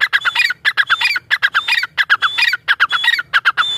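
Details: Grey francolin (teetar) giving rapid, harsh, squawking phrases of several notes, each phrase repeated after a brief gap, with a faint higher whistled overtone; steady, close and loud.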